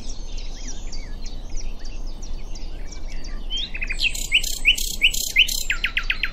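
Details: Common nightingale at Diddington in song: a series of loud, rapidly repeated emphatic notes delivered in a quick run after a stretch of softer, distant twittering from other birds.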